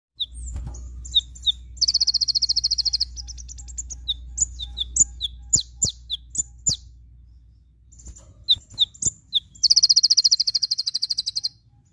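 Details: Javan white-eye (Zosterops flavus), song.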